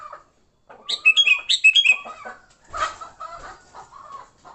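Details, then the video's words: Sooty-headed bulbul in fighting mode, used to attract bulbuls: a lively string of bright, slurred chirps repeated quickly for about a second, then lower calls and a rustling, flapping noise. "Suara Burung Kutilang Gacor TARUNG Tanpa isian, Ampuh untuk pikat Kutilang jadikan Kutilang ribut."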